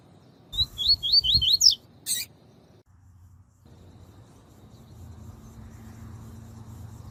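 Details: Tui tui style song of a captive Double-collared seedeater, used for training males and warming them up: a quick burst of about six rising, upslurred whistled notes, then a sharp broadband click and a low steady hum of background noise.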